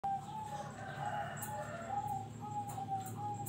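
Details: Zebra dove, a contest bird that often earns nominations at regional and national competitions, giving soft cooing notes near one pitch, run together into a wavering, pulsed phrase with brief gaps, over a low background rumble.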